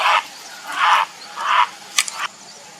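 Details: Grey heron (Ardea cinerea) calling for a mate: three short, harsh, hoarse croaks in quick succession, followed by a brief sharp click, with a faint steady background hiss.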